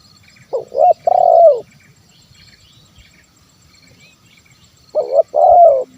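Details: Spotted dove 'kuk 1' call, meant to coax wild and idle doves into calling: two low cooing phrases about four seconds apart, each a stuttered double note then a long coo falling in pitch, with soft background hum.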